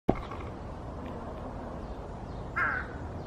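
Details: A large-billed crow in Cheongju, South Korea, gives one short, hoarse caw near the end, over a steady low rumble, with a sharp knock at the very start.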